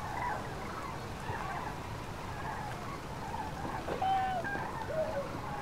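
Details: Common cranes on spring migration over central France, 5 March 2016, afternoon, many flocks broken up by bad weather; distant trumpeting calls overlap, with a clearer ringing note near the end, over a steady low rumble.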